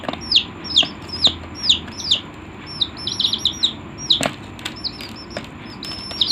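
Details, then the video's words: Several colourful chickens give shrill, downward-slurred peeps that overlap, two or three every second, over a low background hum. "The sound of colorful chicken"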